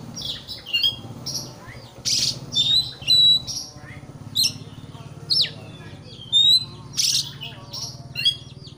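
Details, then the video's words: Provoking song of an Oriental magpie-robin aimed at rousing an opponent: short bursts of harsh, scratchy chatter and brief clear whistles repeated roughly every half to one second, with a low hum throughout. "pancingan kacer emosi supaya lawan cepat ngotot/ emosi"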